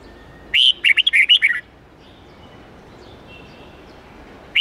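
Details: Red-whiskered bulbul song of the 8-9-10 note, forest-standard twisting style, used for teaching young birds: one bright phrase of about seven quick whistled, warbling notes lasting a second, then quiet hiss and the start of another phrase.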